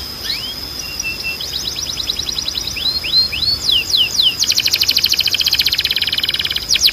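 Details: Training song of a canary meant to stimulate singing in young canaries: thin whistles and quick rising slurs, then swooping descending notes leading into a loud, dense, rapidly pulsed roll repeated many times.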